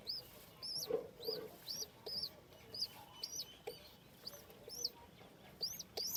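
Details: Domestic pigeon (Columba livia) at home with baby chicks during feeding: thin, high, arched squeaky chirps repeat about every half second, with a low soft clucking note near the start, over faint background hiss.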